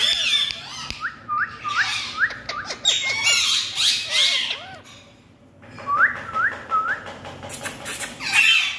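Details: Green Indian parrots at play, running about: harsh, screechy squawks in dense bursts, mixed with a run of short rising whistles repeated about every half second, then more whistles and screeches after a brief lull.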